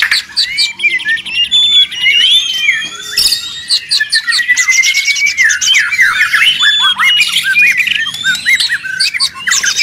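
White-rumped shama in a busy, noisy burst of song: rapid whistles, sliding notes and harsh chattering squawks tumbling over one another without pause.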